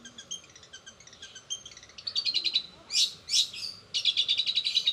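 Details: Long-tailed shrike singing fast rolling song filled with mimicked sparrow, canary and sogon phrases: soft rows of thin high ticks, then louder, dense chattering bursts and a rapid trilled run over low background noise.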